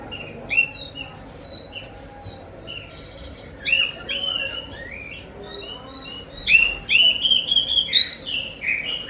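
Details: Oriental magpie-robin (kacer) song used as a lure to make other magpie-robins answer: scattered whistled phrases near 2–4k at first, then a louder run of clear, rising and falling whistles toward the end over a faint low hum.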